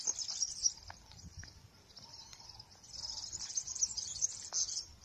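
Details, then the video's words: Wild European serins singing in an olive tree on a countryside field outing, with a goldfinch nearby, give a continuous high, jingling, buzzy twitter, rising and falling in bursts with scattered thin notes, over faint background noise. "ya habéis escuchado los verdecillos como cantan mucho"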